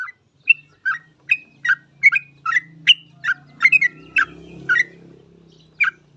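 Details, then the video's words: Actively singing yellow-vented bulbul, kept as a lure to prompt other bulbuls to sing; a run of short warbling, chirpy notes about once a second over a low steady mechanical hum. "Trucuk gacor ini paling cocok buat pancingan trucuk lain agar cepat bunyi"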